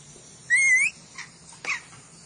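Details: Ornate lorikeet from Sulawesi giving one clear, rising whistled squeal followed by two faint short chips.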